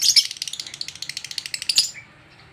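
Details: Agitated lovebird facing another lovebird: about fifteen quick, shrill chirps in an even stream lasting two seconds, starting and ending with louder harsh notes.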